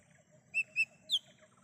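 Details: Wild lesser green leafbird, a sound used to lure and call birds: three clear whistled notes, two short level ones then a higher slurred note, over faint background hum.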